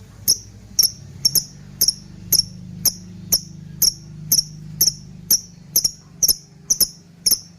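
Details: Lovebird call used as a lure and tutor recording for training other birds: sharp, shrill high chirps repeated roughly twice a second, each a quick downward-sliding note, over a faint low hum.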